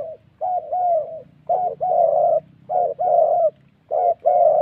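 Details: Wild Central Highlands spotted dove from Vietnam, tied to ground-decoy trapping, cooing in the "thổ" style: rounded, slightly falling hoots in pairs of a short and a longer note, repeated about every second.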